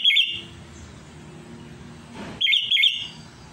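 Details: Sooty-headed bulbul calling to a rival, used as a lure, gives two bursts of bright, bubbly whistled notes around a second apart, with a brief rustle between them.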